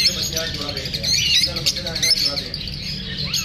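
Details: Several lovebirds chatter busily after feeling unsafe from filming, with quick high squeaks and rising chirps layered thickly together, faint human voices murmuring underneath and a steady low hum.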